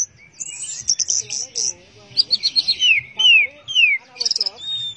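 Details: Orange-headed thrush in teler song: high buzzy notes, a run of quick chirps, then clear whistles sliding steeply downward, ending in a rapid stutter and a soft falling whistle.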